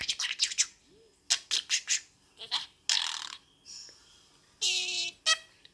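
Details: A four-year-old pet budgerigar that speaks Cantonese, English and Singlish, playing peek-a-boo, chatters in rapid, buzzy mimicked syllables mixed with sharp clicks and squeaky whistles.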